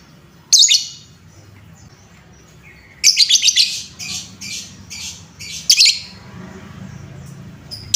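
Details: Lovebird in a bait sound for rousing lovebirds: a lone harsh shriek, a pause, then a busy stretch of rapid, scratchy chirps in uneven bursts, and another sharp shriek near the end.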